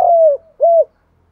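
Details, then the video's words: Spotted dove cooing in the 'giọng thổ pha đồng' voice style: a long, level, mellow coo that drops slightly at its end, then a short, arched second coo. No other sounds. "cu gáy giọng thổ pha đồng"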